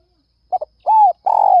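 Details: Spotted dove in early morning, calling to attract other doves: a stuttered double note, a smooth arched coo, then a long vibrating coo that drifts slightly lower.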